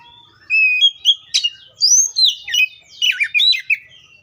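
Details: Oriental magpie-robin song: a run of clear whistled notes rising and falling, then sharp slurred phrases, about ten quick notes in four seconds with short gaps between them.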